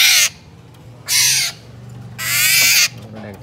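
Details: A captive, trap-caught male Black-naped Oriole gives three loud, harsh, rasping calls, each under a second and spaced about a second apart, over a low background hum.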